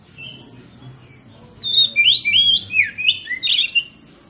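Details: Oriental magpie-robin (kacer) lure song meant to provoke other kacer into singing their full repertoire. After a quiet start with low background rumble, a burst of loud, sweet whistled phrases rises and falls rapidly for over two seconds.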